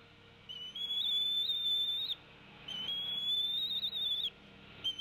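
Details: Adult female Bald eagle at the Decorah nest, 29 April 2016 at 15:22, tea-kettling at her mate while both feed an eaglet: long, high, thin wavering whistles of about a second and a half, repeated every two seconds.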